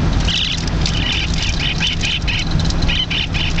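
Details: A young Lineolated parakeet, a turquoise 9-week-old female, chatters in a jeep while travelling home from Victoria. She gives a run of short, clipped, buzzy chirps, roughly three to four a second, over a constant low vehicle drone.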